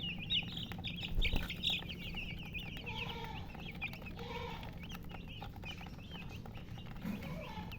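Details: Chicken chicks with a hen: dense, rapid high peeps overlap continuously. Lower, harmonic hen clucks come in short bursts around the middle, over a steady low hum.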